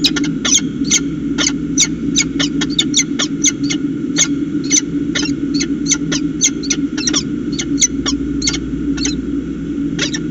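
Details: Peregrine falcons talking at the nest at Charles Sturt University, Orange, New South Wales, 25 July 2019: rapid run of short, sharp harmonic chips, some doubled, repeated irregularly several times a second over a steady low hum.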